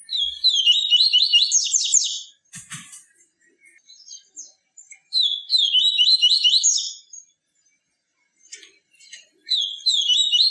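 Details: A yellow-bellied seedeater's pure song for warming up captive birds: three bright strophes of rapidly repeated, zigzagging whistled notes, with a brief click and scattered soft chirps in the gaps.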